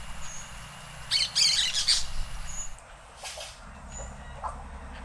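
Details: Orange-chinned parakeet in Costa Rica: a loud, grating burst of squawky chatter lasting under a second, then softer scattered chirps and faint whistles over low background rumble.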